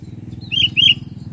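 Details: Wild sooty-headed bulbul heard while trapping: two quick, sharp, liquid chirps in close succession, bright and high, over a steady low mechanical hum.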